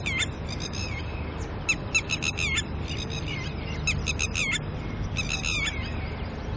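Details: Red-wattled lapwing pair, disturbed by a person nearby early in the morning while tending chicks, calling loudly: bursts of sharp, harsh, repeated notes in rapid series, with pauses between, over steady low background rumble.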